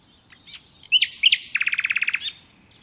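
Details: Common nightingale singing naturally: a few sharp whistled notes and rich chirps, then a fast, even series of about fifteen loud repeated clicking notes, ending in a brief flourish; quiet background.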